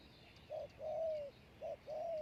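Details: Spotted dove kept as a lure for wild doves, two distant coo pairs, a brief note then a drawn-out level coo, heard against a steady background hiss.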